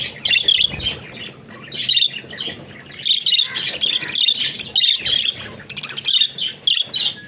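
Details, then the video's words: Several pet budgies giving rapid, raspy warbling chatter in repeated bursts, each about half a second long, separated by brief quieter gaps. No other clear sounds. "Funny Talking Budgies"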